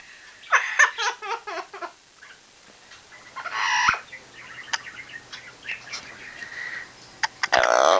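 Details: Yellow-naped amazon kept as a pet, laughing on cue: a fast series of hoarse chuckling notes in the first two seconds, then a raspy burst, a few scattered clicks, and rustling handling noise.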